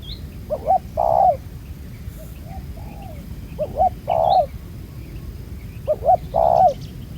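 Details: Steady cooing from a wild spotted dove with a black-spotted collar at a ground-decoy trap, three phrases of rapid short notes and a sustained deep coo, light high chirps of other birds in the background.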